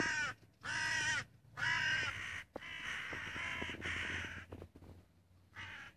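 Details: Crow recorded on 25 June 2017, giving a series of loud, harsh, drawn-out caws, each around half a second long, separated by short pauses, with a low steady hum underneath.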